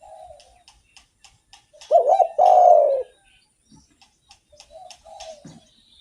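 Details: Actively singing spotted dove, kept as a lure to provoke other doves, gives a loud double coo phrase mid-clip, preceded and followed by soft, quieter coos and faint ticking sounds.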